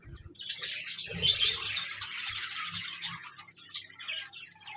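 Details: Pet budgerigars chatter and warble together, a dense, continuous mix of high, scratchy chirps and twitters with occasional louder bursts, played to encourage a lonely pet budgie to sing; faint low thumps beneath.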